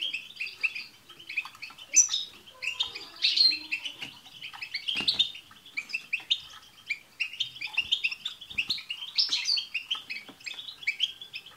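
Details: Group twittering of European goldfinches, including tsts calls, aimed at prompting a pet goldfinch to sing; bursts of high jingling chatter come in waves, rising and falling roughly every two seconds, with scattered clicks.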